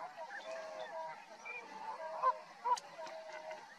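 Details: Tundra swans near Drumheller, Alberta, Canada, at Rosedale and Munson: soft, distant honking from a flock, with two clearer short upslurred honks standing out near the end.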